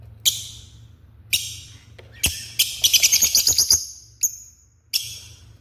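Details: African lovebirds described as very angry: sharp, high, harsh chirps in short separate bursts, then a rapid rattling run of about ten clipped notes, followed by a few more isolated shrill cries; low hum beneath.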